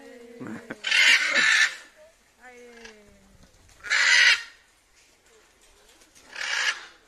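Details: Harsh, raucous squawks from Blue-and-yellow macaws freed after rehabilitation from captivity, three loud bursts a few seconds apart, with human voices speaking in the gaps between them.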